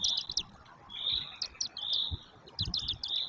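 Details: Five Northern goshawk chicks in a nest, 10 May 2024, chirping contentedly after a feeding: thin, high peeps, some clipped and some drawn out, overlapping from several young, with soft low knocks underneath.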